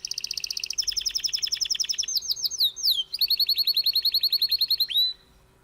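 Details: Canary song played back as an example of birdsong: fast rattling trills of rapid repeated notes, then sweeping downslurred whistles, then a long even trill of clear repeated notes ending in a rising upsweep, bright and loud.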